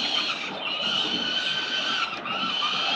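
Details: Peregrine falcons at a city building nest in Victoria, Australia, on 4 November 2021, during a morning feeding of four chicks, filmed by CCTV. A continuous harsh, rasping, high-pitched screech runs unbroken through the whole stretch, with a brief dip near the end.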